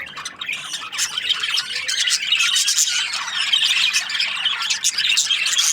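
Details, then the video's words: Breeding pairs of budgerigars chirping together in a busy, high-pitched chatter of rapid squeaks and harsh squawks. The chatter swells after a quieter first second and carries on without a break. "Budgies parrot chirping sounds | breeding pairs"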